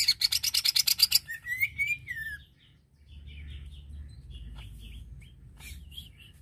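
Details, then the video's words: Greater green leafbird singing to provoke other leafbirds' aggression: a rapid buzzy rattle of about a dozen pulses, then a long wavering whistled phrase sliding downward, followed by faint scattered notes over low background hum. "Bikin Cucak ijo Lain Terpancing Emosinya"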